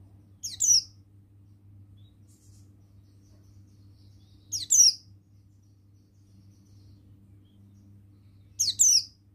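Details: Male buxtoni Oriental white-eye giving brief high, sharp, downward-slurred twittering bursts, each a quick double note, repeated about every four seconds against a low electrical hum.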